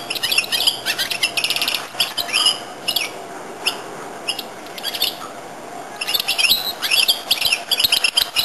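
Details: Bright, fast twittering song of a goldfinch-canary hybrid: dense chirped trills, a quieter middle stretch, then a renewed burst of rapid high notes.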